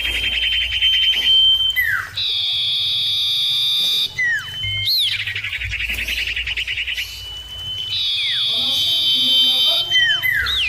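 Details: ['Common iora birds calling back and forth, recorded as a lure to prompt another iora to sing. Long sustained piercing whistles alternate with dense buzzy trills and brief downward-sweeping notes.']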